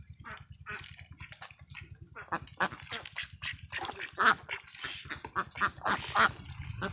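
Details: Farm ducklings jumping about a field, giving a flock chorus of short harsh quacks at irregular intervals, some louder bursts, over a steady low engine-like hum.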